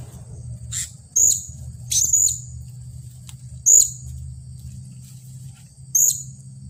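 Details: Serindit (blue-crowned hanging parrot) kept as a staked decoy, angry after luring birds, 15 June 2020: four sharp, very high chirps spaced one to two seconds apart, with a steady shrill whine and low hum throughout.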